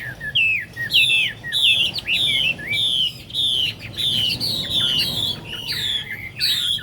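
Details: Loud, clear whistled song from a Chinese hwamei, made of long slurred notes that dip and rise, repeated in quick succession with rich, ringing tones.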